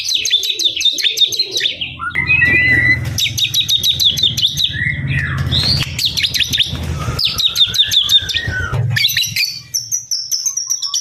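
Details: White-rumped shama song of bursts of fast repeated high chips alternating with whistled slurs, over a steady low hum.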